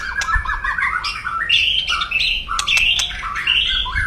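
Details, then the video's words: Aggressive white-rumped shama crackling to provoke rivals: short rattled notes open, then varied loud whistled and buzzy phrases jumping in pitch, broken by sharp clicks, in a small room. "KRETEKAN SUPER DASYAT,, SUARA KERAS,, CARA CEPAT MENDONGKRAK EMOSI LAWAN"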